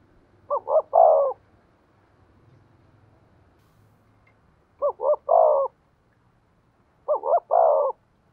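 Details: Giọng thổ cooing from a spotted dove used as a decoy: three clean phrases, each two quick low coos leading into a longer throaty, slightly falling coo, spaced two to four seconds apart over quiet background.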